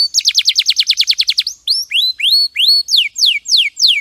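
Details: Canary training song: a rapid trill of short down-slurred notes for about one and a half seconds, then slower rising whistles that change into spaced, descending whistled notes, clean and without background noise.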